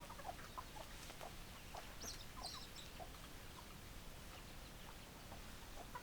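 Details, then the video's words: Chickens on a farm giving soft, short clucks in scattered bursts against steady background hiss, with a couple of brief higher chirps near the middle. "Chicken Sounds Noises Hens Clucking Roosters Crowing"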